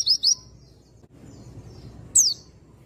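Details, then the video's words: Oriental white-eye lure recording meant to provoke a male into singing with an open beak: two quick, very high, thin rising-then-falling chirps, a pause with faint low background hum, then one sharp descending squeaky note. "PANCINGAN PLECI AMPUH !!! Bikin pleci bahan jantan cepat NGALAS NEMBAK BUKA PARUH"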